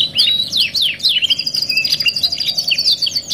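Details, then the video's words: Canary, "2 in 1" masteran training song: a few loud swooping chirps open, then a long sustained high trill runs under scattered sharp notes to the end. "TERAPI MASTERAN KENARI MEWAH 2 IN 1 | CANARY SINGING"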